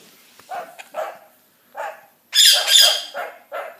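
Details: Pet rainbow lorikeet imitating a dog's bark: short, hoarse, mid-pitched bark-like bursts in uneven succession, then a loud, harsh, high screeching burst with a few more barks after it.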